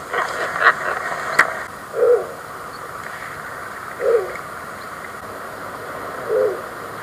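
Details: Snowy Owl giving three short, gruff, raspy barks about two seconds apart, low in pitch, over a steady hiss with a couple of faint clicks early on.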